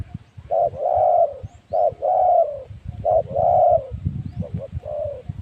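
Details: Decoy spotted dove luring wild doves at Phu Foi Lom, Thailand, spot 136, gives deep hollow two-part coos, a short note then a longer drawn-out one, repeated three times over low rumbling background noise.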